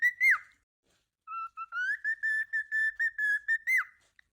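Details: Pet cockatiel: one sliding whistle, a short silence, then a long tune of steady whistled notes about twice a second, ending with a falling whistle.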